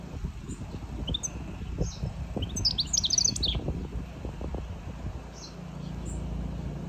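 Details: European goldfinch giving a burst of high, thin twittering chirps and rapid trills, clustered in the middle and scattered around it, over a steady low rumbling background noise.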